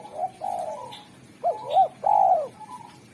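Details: Spotted dove with a sharp, clear, melodious song, used to call in wild doves. Smooth low coos are followed by two short arched notes and a long, loud, slightly falling coo.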